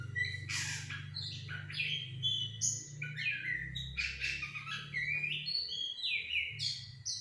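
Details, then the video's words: Goci (Sumatran laughingthrush) lure song used to make a bird reply: a rich, varied medley of loud whistles, squawky notes and quick downslurred phrases running continuously for about seven seconds, over low hum. "Suara Burung Goci pancingan langsung nyaut"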